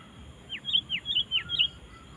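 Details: Sooty-headed bulbul singing energetically to call wild bulbuls to join in. Quick phrases alternate a bright level whistle with a whistle sliding sharply downward, about five notes in just over a second, over a steady high electronic tone.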